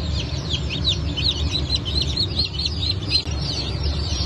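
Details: A new hatch of Brahma, Phoenix, Sultan and Appenzeller chicks, 9 May 2024, fills the air with high, quickly repeated, slurred peeps from many birds at once, set against a droning low background.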